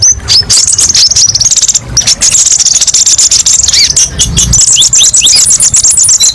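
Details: Kolibri ninja song of the 'tembakan pedes' style used as masteran: a fast stream of piercing high chips, then a run of short downward-slurred notes near the end, with low rumbling noise underneath.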